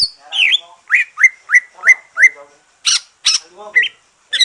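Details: Green leafbird that has finished moulting, singing a song meant to stimulate other leafbirds: a rapid run of loud whistled notes, several swooping upward in quick succession, then sharper high chirps and a short slurred phrase.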